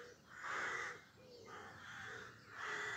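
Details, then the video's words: Three drawn-out, gravelly caws about a second apart from rooks in roadside trees at Pulford, Chester, Cheshire, England, at 5am on a late May 2024 morning, with a soft background hum. "Rook bird song"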